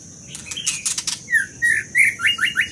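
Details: Scarlet minivet song opening with high scratchy ticking, followed by a series of about six clear whistled notes, the later ones short, rising and quickly repeated.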